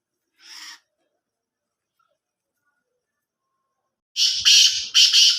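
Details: Black francolin calling loudly: one short harsh burst near the start, a long silence, then a series of loud rasping, broadband notes in quick succession at the end.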